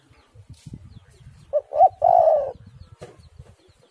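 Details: Spotted dove giving a single cooing phrase, two short notes and then a longer, slightly falling coo, over soft low rumbling and faint knocking in the background.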